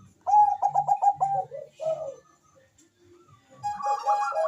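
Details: Bangkok-type zebra dove in fast call, answered by a rival, for luring: a run of quick pulsing coos trailing into a lower note, a short gap, then a second bird's stuttering phrase, over a low droning hum.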